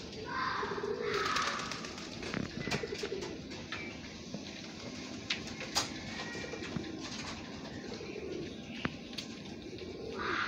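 Pigeons give low, soft rolling coos in short bursts, with a few sharp clicks and faint higher chirps in the background.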